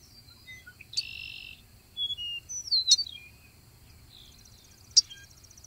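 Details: Ultramarine grosbeak singing: a loose run of high, thin warbled and slurred notes with a short buzzy note and sharp clicks, spaced irregularly over a quiet background.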